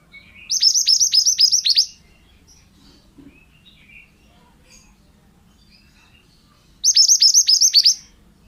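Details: Pied bushchat male singing actively for bird-training use: a fast run of bright, downward-hooked high notes lasting over a second, a long near-quiet gap with faint twitters, then another quick run.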